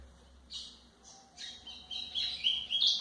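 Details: White-throated seedeater singing, a recording meant to teach young birds: a few buzzy, spaced chirps, then a faster run of loud whistled notes ending in bright sweeping slurs.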